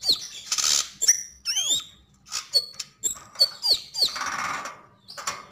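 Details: Javan grey-throated white-eye singing, described as gacor and ngobra: scattered high chirps and twisting whistled sweeps mixed with harsh, noisy rasping bursts and short pauses.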